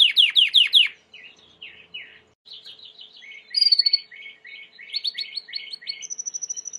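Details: White Timbrado canary in song, recorded for training: opens with fast descending sweeps, then soft whistled notes, rolling warbled tours and a rising trill, ending on a high, even, rapidly pulsed note.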